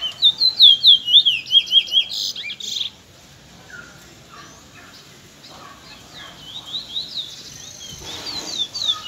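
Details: Young Trinidad bullfinches recorded in the afternoon, described as shy; a rapid series of high, sweet whistled notes repeated about twice a second for two seconds, then scattered softer chirps and twitters over quiet background.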